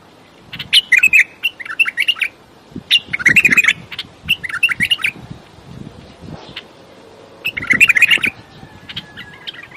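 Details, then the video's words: Bulbul delivering several lively chattering phrases of fast warbled and whistled notes over nearly ten seconds, separated by short gaps, with faint low rustling beneath. "بلبل راقئ بلبل السورئ بلبل الصحرائی بلبل وحشئ"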